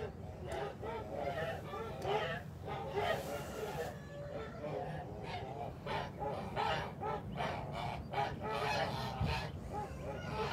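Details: Kholmogory geese flock on a farm, 29 March 2021: repeated loud trumpeting honks, coarse and harmonic, pour out from several birds at once for the whole stretch, with a brief hiss of noise near the start.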